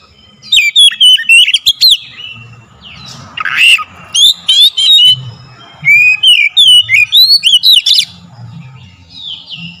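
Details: Oriental magpie-robin song as a lure for provoking singing: repeated bursts of bright, varied whistles and chirps, interrupted once by a harsh rasping note, each phrase lasting about a second or two.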